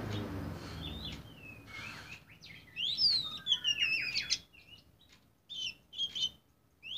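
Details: Oriental magpie-robin of the black form (kacer hitam) singing a varied run of clear, high whistles with swooping slurs and short trills, then brief pauses and a few quick phrases. Faint background hiss.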